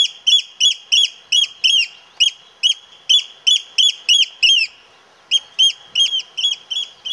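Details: Loud, rapid piping from a Eurasian oystercatcher: clear shrill notes repeated about three times a second in a steady run, breaking off for half a second midway, then continuing in the same insistent rhythm.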